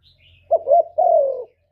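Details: A low mellow coo from a spotted dove, used to lure birds into traps and excite kept doves: a wavering double note, then a sustained, gently descending coo lasting about half a second.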